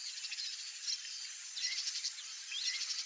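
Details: A wild Rusty-collared Seedeater (Sporophila collaris) sings free in nature, a rapid, high jumble of twittering notes with brief rising whistles, against a steady hiss of insects or distant background.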